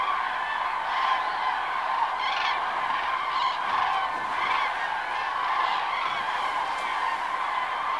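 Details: A flock of common cranes (Grus grus) at daybreak, preening and smoothing their feathers, gives a steady chorus of overlapping rolling, trumpeting calls with no clear pauses.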